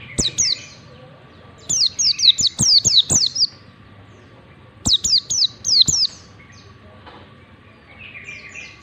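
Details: Ngalas-style white-eye song used to train young singers: fast runs of five or six thin, high downslurred whistles, then silence, then a shorter run, with a low constant hum beneath.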